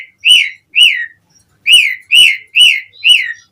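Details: Asian pied starling singing, a string of six loud arched whistled notes, each rising then falling, given about twice a second with a short pause midway.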